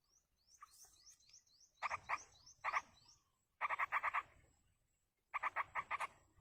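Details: A yellow-vented bulbul parent feeds its chicks in the wild. A series of thin descending whistles comes first, then the chicks' buzzy, rasping notes follow in short rapid bursts of four to six.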